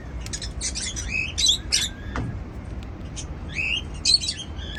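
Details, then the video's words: Seed-eating pet cockatiels chatter in clustered, harsh chirps and short squeaks, with a lone downward whistle near the middle and a second chirping burst toward the end. "Cute Cockatiel Singing"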